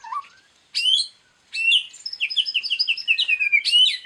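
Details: Murai batu (white-rumped shama) in a loud 'bongkar isian' training song from Indonesia: a low rising whistle, then bright bursts of whistles followed by a rapid descending chatter of short notes.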